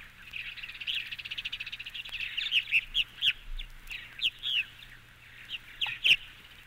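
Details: A Purple Martin song opens with about two seconds of fast, gurgling chatter, then gives a string of liquid, throaty chirps and croaks every half second or so.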